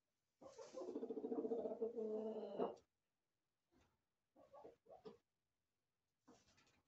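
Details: Chickens, roosters and hens, in a farm corral: one long, even, harmonic call lasting over two seconds, followed by a few short, quieter calls after pauses.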